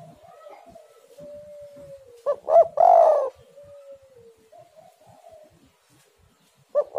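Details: Spotted dove song for luring other doves into singing: a faint drawn-out tone, then two quick coos and a long rich coo near mid-clip, with a further soft note and a new coo starting at the end. No other sounds.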